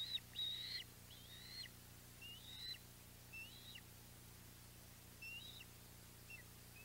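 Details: Osprey calls at the Audubon Boathouse nest on 14 July 2021, mackerel day: scattered faint, thin whistled chirps, some rising and bent, spaced irregularly, with a constant low background hum.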